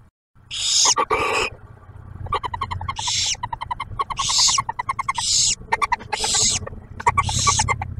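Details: At a nest box near Oak Harbor, Ohio, a male barn owl brings food and the female shares it with the newly hatched owlet. Loud breathy hisses alternate with quick ticking twitter series over a low background hum.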